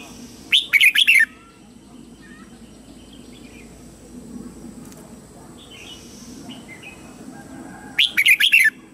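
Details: Red-whiskered bulbul lure bird singing to draw wild birds in to fight: two loud, brief, warbling chirpy phrases, one near the start and one near the end, with faint scattered chirps and a low steady hum between.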